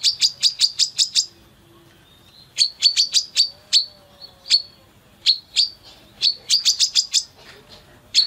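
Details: A female brown-throated sunbird, in full voice with an open beak, gives sharp, high chirps in quick bursts of five or six notes with single notes between; a training recording, possibly a female calling a male.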